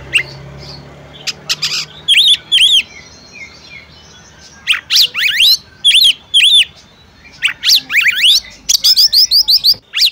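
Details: Calls of a female oriental magpie-robin meant to make the male sing: paired arched whistles repeated, then dense runs of quick rising chirps and sweeps, loud and crisp against a low hum.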